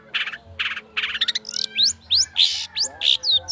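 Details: Long-tailed shrike song used as a lure to provoke other shrikes into singing: fast, varied high notes, buzzy bursts then sharp rising whistled sweeps in quick succession.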